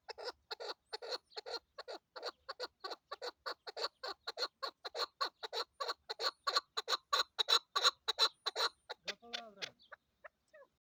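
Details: A female chukar partridge gives a fast, steady run of harsh chuck notes, about three a second for nine seconds, ending in a few falling, drawn-out notes.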